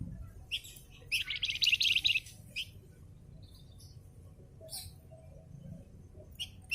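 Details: Javan fulvetta singing as a training recording for caged birds: one dense, fast, high trill of rapid chattering notes lasting about a second, with scattered short high chirps before and after.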